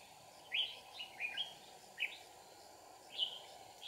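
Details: Red-whiskered bulbul in Kim Bôi, Hòa Bình, recorded during trapping with fighting song: separate short bright chirped notes, roughly five across a few seconds, each sweeping up then down, against a faint steady hum.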